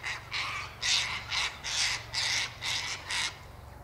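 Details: Sulphur-crested cockatoos in winter, feeding on tossed sunflower seeds, wheat and birdseed by an eastern gate: a run of eight harsh, raspy screeches, each about a third of a second long, coming roughly twice a second over a low steady hum.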